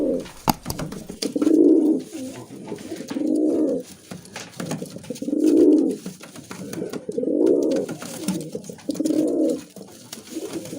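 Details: Musaldom pigeon, a domestic pigeon breed, giving five deep, swelling coos spaced about two seconds apart in a small room, each a rounded throaty hum rising then fading.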